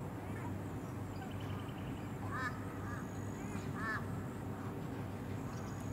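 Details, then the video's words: An Australasian swamphen (Porphyrio melanotus) on the Sunshine Coast, Queensland, in May 2021 gives a few short, nasal, arched notes around two and four seconds in, over a steady low rumble of wind or distant traffic. "Australasian Swamphen"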